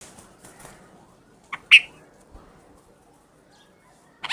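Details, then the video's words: A Red-vented bulbul gives a few short, bright notes, with a quick pair near the middle and another burst at the end, and quiet background between. "Red vented bulbul / bulbul bird's sound"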